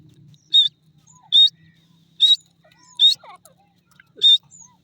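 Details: Grey francolin, also called jungle teetar: loud, harsh high-pitched notes repeated at roughly regular intervals, about five in under five seconds, with faint chirps from other birds between them.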